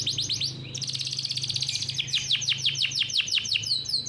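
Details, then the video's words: Bred canary performing a long, rapid rolling song used as a model for young canaries. A high buzzing trill gives way to a string of descending swept notes, roughly six each second, over a faint low hum. "KICAU BURUNG KENARI GACOR NGEROLL COCOK BUAT PANCINGAN KENARI PAUD"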